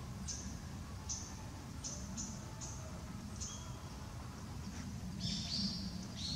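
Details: Japanese tit on 20 November, just after bathing, giving thin, very high call notes, scattered about once a second, ending in a brief louder burst, over a steady low rumble.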